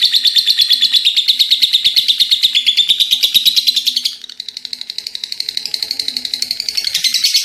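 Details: An actively singing lovebird pours out a long ngekek chatter of rapid, piercing notes. It eases briefly after four seconds, then builds again with bright, rising pulses.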